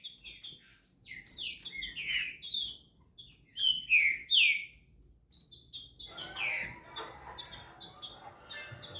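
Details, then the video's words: Green-winged saltator emerging from moult delivers loud whistled downslurs and clipped chirps in irregular phrases, pausing briefly midway before a rising, broader burst of song. "Trinca Ferro Tornado Saindo da Muda"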